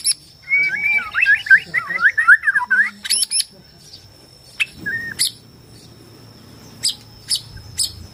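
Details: Borneo shama song used to provoke rivals into fighting: a quick warbled string of bouncing whistles, then scattered sharp clicks and a single short whistle over quiet background.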